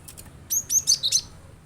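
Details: A cinereous tit gives a quick run of four or five shrill, very high chirps, each brief and slightly slurred. The recording serves as a prompt for a kept bird to sing along.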